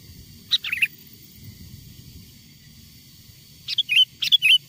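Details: Wild sooty-headed bulbul singing, a recording meant to lure other wild bulbuls closer: one brisk three-note chirpy phrase, a pause of nearly three seconds, then a longer run of lively twisting whistled notes.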